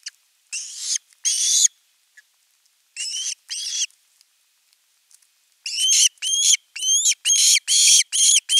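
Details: Osprey chick at a nest camera on 10 August 2021, calling at length for fish before an adult brings a whole fish. Harsh, shrill, rising-then-falling screams come in short bursts: two pairs, then a rapid series of six.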